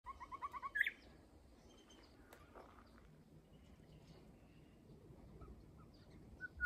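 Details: Wild grey shrike-thrush singing in a garden in Australia on a grey, overcast day: a quick run of short, evenly spaced whistled notes that ends in a sharp rising whistle, followed by quiet background with faint distant sounds.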